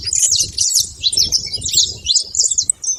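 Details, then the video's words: Brief burst from saffron finches at a feeding spot: squeaky, tumbling high chirps and slurred notes over a pulsing low background rumble. "canário da terra fazendo muito barulho na seva"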